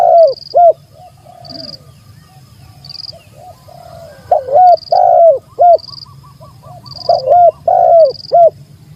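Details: Spotted dove calling against a rival: paired coos at the start, then a soft series of small repeated notes and a later cluster of strong arched coos, with high regular chirps throughout.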